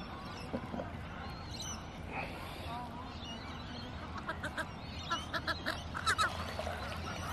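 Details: Australian wood ducks in suburban Melbourne, Victoria, have a little argument, squabbling with short nasal mews and honks that quicken near the end over a steady low rumble.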